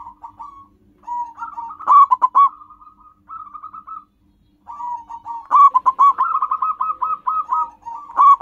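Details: Song of a local zebra dove, used to lure wild birds. Hesitant stuttering coos build into loud, quick, rolling runs of staccato notes, with a short silence midway and a low hum behind.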